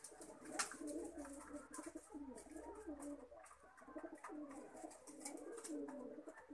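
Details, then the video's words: Lakha pigeon coos in an enclosed space, deep burbling phrases rising and falling in repeated bouts, with other pigeons cooing alongside and light scraping noises. "लखा कबूतर"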